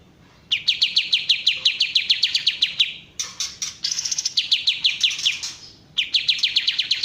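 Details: Kapas tembak bulbul, original sound: a rapid string of sharp downslurred chips broken by a harsher, broader, buzzy burst. The quick chipping series then resumes.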